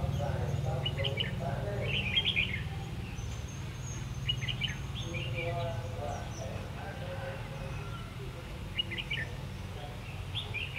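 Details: Red-whiskered bulbul, a decoy used in trapping, recorded 3 January 2019 in Vietnam: short bubbly warbled phrases repeated every second or two over a steady low rumble and background noise.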